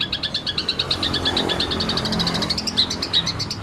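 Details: Long-tailed shrike in the ngekek song style, a rapid-fire burst: fast, evenly spaced chattering notes, several per second, followed by a few sharper high whistled accents, with low background rumble.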